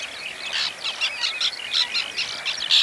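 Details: Breeding white-winged terns in the Oostpolder, 2015, where they nest for the second time: many birds giving rapid, grating, high chattering calls in an unbroken overlapping chorus, punctuated by louder rasping notes.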